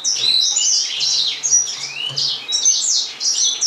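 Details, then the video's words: Gouldian finches chatter continuously in overlapping high, thin chirps and short rising and falling squeaks, with no pauses and a faint low hum in the background. "Amadyna Wspaniała"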